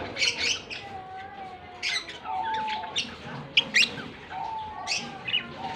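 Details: Two lovebirds, one blue personata and one white albino, trading shrill chirps and scratchy squeaks in bursts every second or so, with a repeated smooth mid-pitched whistle-like tone underneath.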